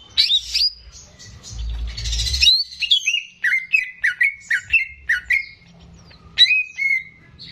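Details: Greater green leafbird, a caged songster used to stimulate raw birds, gives a harsh burst, then a rapid series of falling whistled chirps repeated about twice a second, ending in a long descending whistle.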